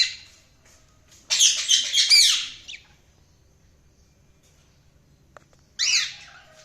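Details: A burst of scratchy, squawking budgerigar warble lasting about one and a half seconds, a long silence with one faint click, then another short chirpy outburst.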